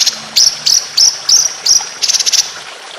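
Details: White-rumped shama contest training song: a row of short, sharp high chirps about three per second, ending in a quick rattled trill.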